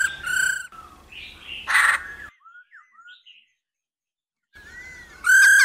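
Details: A female laughingthrush sings to stimulate males. There are brief loud whistles, a harsh burst, a few soft sliding notes, a quiet gap, then a strong sustained whistle at the end.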